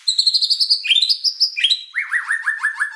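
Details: Gacor song of a white-rumped shama (murai batu): a string of high, clear whistled notes stepping upward, followed by about six quickly repeated, downslurred whistles.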